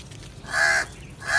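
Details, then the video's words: Crow uttering a quick pair of harsh, nasal caws, the first a little longer than the second, with a short pause between them. "Crow Sounds"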